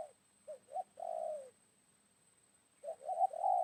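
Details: A wild spotted dove, heard fairly far off in an oil palm plantation around midday after morning rain while being lured with a decoy dove, coos twice: two short soft notes, then a longer low croo, over a faint electronic whine.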